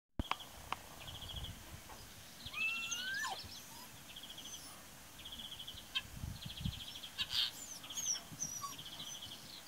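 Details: Common starling singing on an April morning, 8 April 2018, at Braziūkai in Kaunas district, Lithuania: a varied medley of sliding whistles, clicks and short rattling trills, with other birds trilling steadily in the background.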